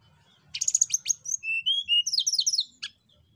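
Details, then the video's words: Javan banded pitta song meant to prompt birds to sing: a brief burst of high chirps followed by clear level whistles and a quick descending series of bright notes, closing with one sharp call. "Tledekan gunung gacor Untuk Pancing Bunyi Burung"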